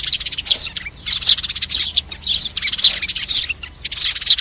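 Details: Sparrow flock call, played to lure birds into traps: rapid, twittering chirp bunches about every half second, sharp and high, over a quiet low hum.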